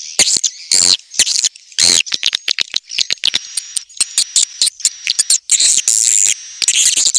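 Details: Recording of swiftlet mating calls: bursts of sharp high clicks and chattering twitters alternating with short silences, a faint steady high tone underneath.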